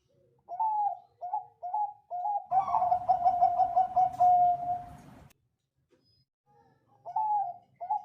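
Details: Zebra dove of the Bangkok type, a keen singer with a crystal voice used for tutoring other birds: four short rising coos lead into an extended, fast, trilled, rolling phrase, followed by quiet and more short coos.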